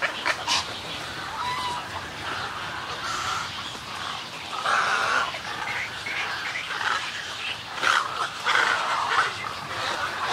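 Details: Snowy egrets calling in a colony at close range, with colony and greeting calls made up of scratchy, guttural squawks in bursts, a few louder rasping notes punctuating the busy background chatter.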